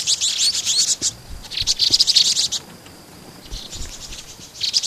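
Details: Vinous-throated parrotbills in Pingtung City, Taiwan, March 2014: bursts of thin, high chattering twitters from several birds, separated by short quieter gaps with a faint steady whistle-like tone between them.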